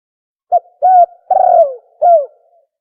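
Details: Spotted dove (tukmo) call used as a hunting lure; one phrase of a brief note, a level coo, a longer falling coo and a final falling coo within two seconds, no other sounds.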